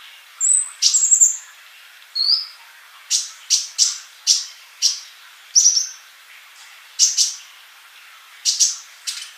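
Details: Sunbird singing in sharp, high chirps and short whistled slurs, spaced irregularly about every half second to a second, with quiet pauses between bursts.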